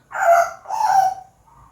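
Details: Pet African grey parrot talking with its owner, producing two voiced, speech-like syllables in quick succession, then a faint trailing tone; the owner asks about breakfast just after.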